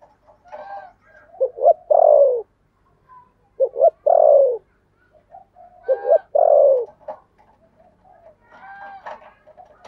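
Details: Spotted dove used as a decoy, singing in the 'thổ' voice style: three rounds of a double short coo plus a long falling croon, about two seconds apart. Small birds chirp and twitter in the background.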